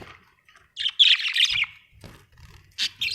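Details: Pet budgerigars at home give a burst of harsh, buzzy chirps and warbles, then a pause with faint low knocks and a couple more scratchy squawks near the end.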